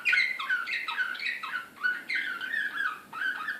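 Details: Serbian slavujar canary, Belgrade 2016, described as excited, giving mellow rolling whistles and slurred falling notes in short phrases with small gaps between them.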